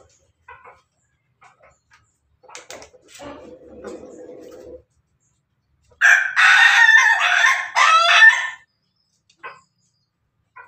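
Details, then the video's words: Bangkok-type Pelung rooster eating alongside hens: low murmuring clucks, a steady soft purr, then a powerful ragged crow of roughly two and a half seconds, ending with a few faint clucks. "ayam pelung Bangkok makan bersama ayam babon, suara ayam ketawa berkokok"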